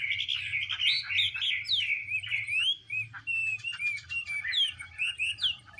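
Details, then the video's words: Chinese hwamei song as a female dances and fans out to rouse the male; fast varied whistled phrases with swooping slurs, a brief pause near three seconds, then more clipped, chattering notes against a low background hum. "Họa mi mái múa xòe thúc trống nhanh lên lửa"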